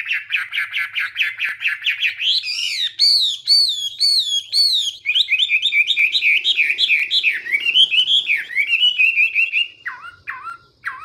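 A Chinese hwamei sings a loud, rich, varied song of rapid repeated phrases, arching whistles and fast trills that change every second or two.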